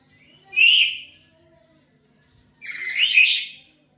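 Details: Black-capped lory kept at home and described as highly vocal, used as a lure recording for training birds: two harsh, raspy screeches about two seconds apart, each lasting under a second, with a quiet background.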